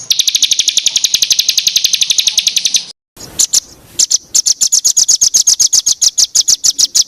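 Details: Bird song for training contest songbirds: a long, even, rapid trill of high notes, a short gap, a few scattered chips, then a rhythmic series of sharp, clipped notes.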